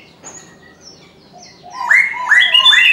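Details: Chinese francolin calling in the morning. Faint high chirps are heard at first, then a loud, harsh phrase of rising, hoarse syllables repeated three times in quick succession.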